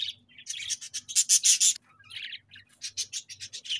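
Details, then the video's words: Pet budgies chatter in rapid, harsh high chirps that build into loud pulsed bursts, pause briefly, then resume with a softer warble and a quick string of clipped notes. "𝑩𝒖𝒅𝒈𝒊𝒆 𝑩𝒊𝒓𝒅𝒔 𝑪𝒉𝒊𝒓𝒑𝒊𝒏𝒈 𝑺𝒐𝒖𝒏𝒅𝒔"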